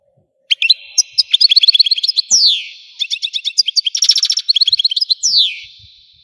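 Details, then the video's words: European goldfinch from Algeria in full song, a dense stream of rapid liquid twitters and buzzy trills interrupted by quick downward-sweeping whistles, delivered continuously without pause. "تغريد الحسون قمة الابداع ! حسون جزائري"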